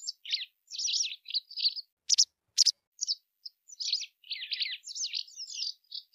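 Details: White wagtail song: a run of short chirpy twittering notes, mostly high and quick, with two sharp clicking ticks mid-phrase; clean background with no other sounds.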